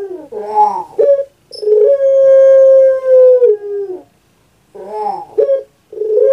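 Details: A kept puter pelung dove repeats its cooing phrase: gurgling, wavering opening notes, then a long, level, ringing coo that drops at its close, with a second phrase starting about five seconds in.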